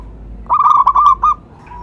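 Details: Zebra dove, a local perkutut, giving a lure call: one quick run of bubbling, stuttered coos that ends in a short rolled note, with a faint distant coo afterwards.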